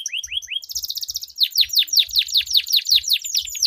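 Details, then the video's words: Melodious rolling canary song from a duel: three rising swoops, then a dense, fast buzzy roll of repeated descending notes, soft low knocks in the background. "Duel Burung Kenari Suara Merdu Ngerol Panjang || Pancingan Ampuh Kenari Macet Gacor Ngerol Panjang"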